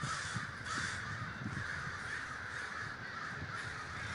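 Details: Davis, California, where crows gather in large numbers: a dense chorus of raucous caws runs without pause, over a low rumbling background.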